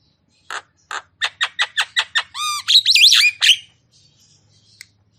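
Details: Javan myna giving a series of rapid, harsh, clipped notes that speed up, then breaking into wavering, squealing, whistled squawks, ending abruptly in a quiet room.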